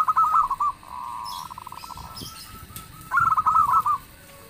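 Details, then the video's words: Local zebra dove in full voice, its booming song said to make other birds answer: two bursts of rapid, stuttering mid-pitched coo notes joined by a long steady hum, with faint high chirps of other birds between. "suara perkutut lokal gacor_dentuman suaranya bikin yg lain nyaut"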